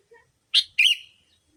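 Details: Sooty-headed bulbul call played as a lure for bulbuls: two quick harsh chirps, the second slightly longer and sliding downward into a thin trailing tone, on a clean quiet background.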